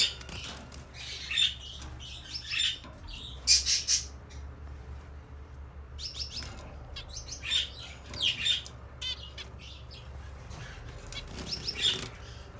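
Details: Zebra finches kept in captivity, recorded 6 December 2018, giving many short nasal, buzzy high calls in irregular bursts, several birds overlapping, with some wing flutters and a low background rumble.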